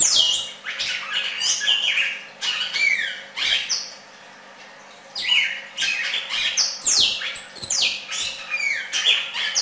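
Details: Red-crested cardinal in song, pouring out rapid, harsh and whistled notes with falling slurs, pausing for about a second partway through before another dense burst of varied phrases; low hum behind.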